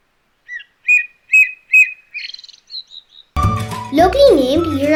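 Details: An Indian Blackbird, found only in India and Sri Lanka, sings a short run of clear, fluty whistled notes, several repeated at an even pace, before music and a speaking voice take over.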